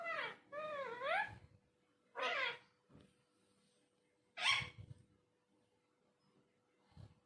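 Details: Talking parrot indoors giving a few drawn-out, wavering, meow-like cries, one with a rising-falling sweep, followed by a short squawk and soft faint notes, with quiet gaps between.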